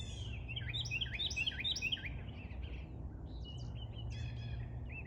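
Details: Tiny bird singing loudly: a fast run of hooked, upslurred whistled notes, then a short pause and buzzier warbled phrases, set against a steady low rumble.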